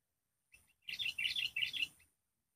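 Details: Wild sooty-headed bulbul calling in response to a lure bird during bird trapping, a bubbly burst of chattering notes lasting about a second after a brief soft lead-in note.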